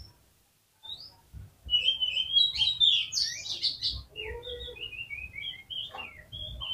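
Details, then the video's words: Oriental magpie-robin song for prompting other magpie-robins to sing, heard more quietly: a dense jumble of whistled notes, then a run of short descending whistles, over a low rumbling background. "PANCINGAN KACER GACOR"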